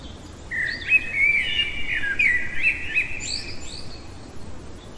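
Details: In the heart of the night a common blackbird delivers one long, continuous warbled phrase of flowing, flute-like notes, finishing with a few high, squeaky flourishes before fading.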